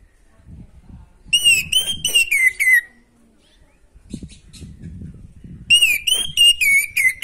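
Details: Vigorous natural song of an orange-headed thrush, meant to stir a bird short on breeding drive: a fast string of clear fluting, slightly descending whistles, a pause with soft low background noise and faint high ticks, then a similar whistled run.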